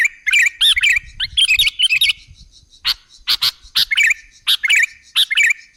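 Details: Sooty-headed bulbul, known locally as kutilang, singing as a lure to draw other birds; loud bright chirpy phrases with quick warbled notes, repeated in bursts, interspersed with sharp clicking snaps.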